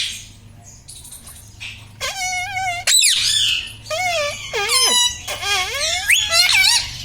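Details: Talking parrot at home, taught 'mummy', 'papa' and 'radhe radhe'. After a quiet opening with a soft hum, a continuous stream of loud, squeaky, bending syllables follows, like rapid mimicked words.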